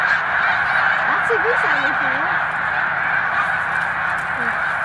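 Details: Snow geese crowding the mucklands near Montezuma village, New York, March 2022: a continuous clamour of many honking birds, overlaid briefly by a person's exclamations.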